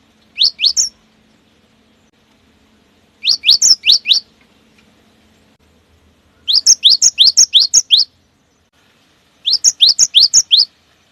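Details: Cinereous tit in lively song used as a lure to trigger singing in other cinereous tits, styled 'wucit wucit panjang', rolling and rapid-fire; four short bursts of sharp rising whistled notes, each burst separated by pauses of about two seconds.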